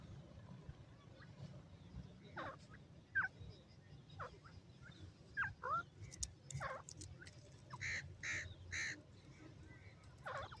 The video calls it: yellow pheasant birds sounds